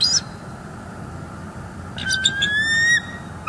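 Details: Bald eagle pair at a nest with eggs in northeast Florida, filmed on a live nest cam on 18 December 2021, alerted by something. A thin rising call and high chittering notes sound over steady wind-like hiss.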